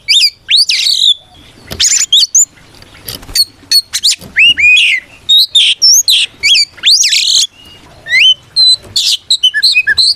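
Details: An Oriental magpie-robin sings a combative song meant to goad other magpie-robins into replying: varied loud whistles, steep upward slurs and harsh chattering bursts, tumbling on in short phrases with brief silences.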